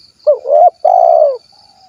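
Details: Spotted dove, tekukur kuk 1 from Cilacap in Central Java, uttering a single two-note phrase: a quick wavering hoot, then a sustained vibrating coo that slowly drops in pitch. A faint thin whine persists.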